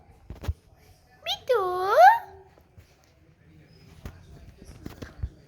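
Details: Pet ringneck parrot in a playful mood, talking; one drawn-out, bending, harmonic-rich vocal phrase in the middle, with quiet clicks and knocks around it indoors.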